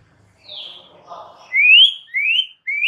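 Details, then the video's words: White-rumped shama song meant to make a silent bird answer: a faint high note over soft murmuring, then clear rising whistled upslurs, each louder and cut short. "99% EFEKTIF jadikan Murai BISU seketika NYAUT dalam HITUNGAN DETIK"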